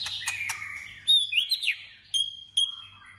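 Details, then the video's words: White-rumped shama in voice training for competitive song. A high whistled phrase with swooping slurred notes ends in two brief piercing high notes over a low background hum. "Choè lửa hót đấu/Choè lửa hót luyện giọng căng lửa/Choè lửa hót"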